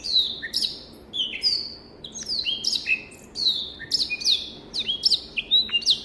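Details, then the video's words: African black-throated canary kept as a tutor bird, singing steadily: repeated high whistled notes, each dropping or rising sharply, linked with clicks and brief pauses, giving a lively, rhythmic phrase pattern. "SOUND of BIRD BLACKTHROAT || FINCH SINGING || MASTERAN BLACKTHROAT Kualitas Suara Jernih !!!"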